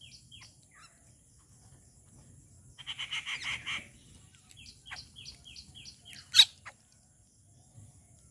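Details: A Rufous Treepie feeding at a home in the morning gives quick runs of short, high, down-slurred chips around a harsh chattering burst, then a sharp clack, over a faint low rumble.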